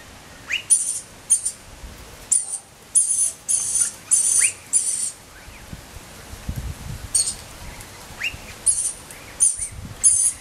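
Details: Spring recording of a rainbow lorikeet chick crying with a long run of rasping, screechy high bursts, each under half a second, coming in uneven clusters with short gaps. Faint low rumbling in the middle.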